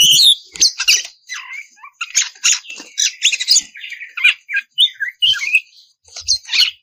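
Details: A breeding-condition female oriental magpie-robin calls to a male with a continuous mix of rasping, scratchy chatter and short squeaky whistles, changing rapidly and unevenly throughout.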